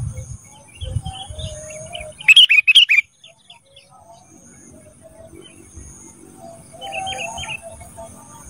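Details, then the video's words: Sooty-headed bulbul song from a training recording for cage birds: a short burst of loud bright chirping notes repeated quickly for under a second, then quiet with faint distant chirps and a soft hum. "Masteran Kutilang Emas Mudah Gacor"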